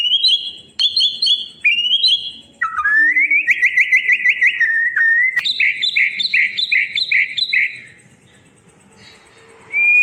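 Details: White-rumped shama singing as a tutor for silent birds: clear whistled upslurred phrases, a long rapid buzzy trill of repeated notes, then a fast series of bright chopped notes, ending in quiet before a last whistle.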